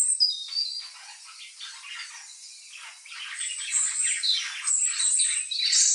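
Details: Several pet budgerigars respond to the chirping of unfamiliar birds with busy, rasping warbles and short squawky chirps, a high whistle at the start and rising intensity toward the end.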